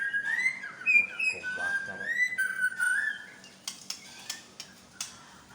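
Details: White-rumped shama of the Medan type revealing its mimicked repertoire: a flowing warbled whistle wavering up and down for three seconds, then a series of sharp isolated clicks.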